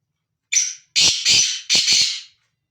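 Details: Male black francolin moving freely, uttering a single vigorous harsh phrase: one short scratchy lead-in note, then three longer buzzy, grating notes over about two seconds, with no other sounds.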